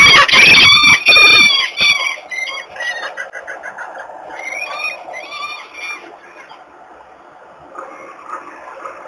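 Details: Wild peregrine falcon at its nest in Włocławek, Poland, on 21 March 2022, reacting immediately to an unringed young female intruder and chasing her off; loud harsh rasping calls at first, then fading repeated cackling notes with wind noise.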